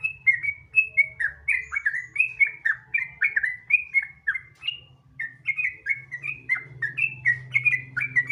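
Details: Sooty-headed bulbul in lively song as a lure for other bulbuls: long continuous series of quick, bubbly whistled notes, about three per second, briefly pausing midway before resuming, with low background hum.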